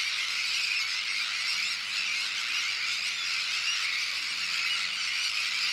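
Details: A dense, unbroken din of harsh, grating calls from a large Sandwich tern breeding colony on a shell bank, with brooding adults and chicks of various ages, many birds calling at once with no pauses.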